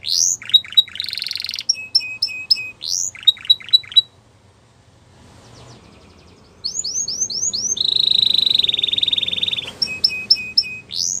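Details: Canary song meant to prompt caged canaries to sing: bursts of chirps and short trills, a silent gap, then rising whistles and a long steady buzzy trill with clipped notes.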